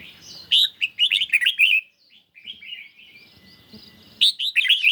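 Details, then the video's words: Caged red-whiskered bulbul singing in a duel with a phone recording on a partly sunny day: quick burst of warbled whistles, a quieter drawn-out stretch, then another lively phrase of chirpy notes. "Chim Chào Mào Của A Tủa Hót Đấu Với Điện Thoại Cực Xung"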